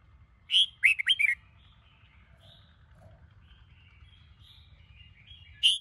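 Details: Sông Kôn red-whiskered bulbul, morning song meant to stimulate other bulbuls; a brief burst of three or four loud, liquid notes, then faint distant twittering and one final sharp note.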